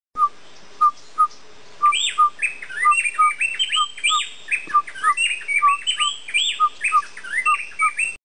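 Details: Chestnut-capped Brush Finch at Montezuma Peak, W Andes of Colombia, comes out curious to a person's whistled Cloud-forest Pygmy-owl song, calling in quick, excited bursts of high, thin, rising notes; a Gray-breasted Wood-Wren sings loudly in the background.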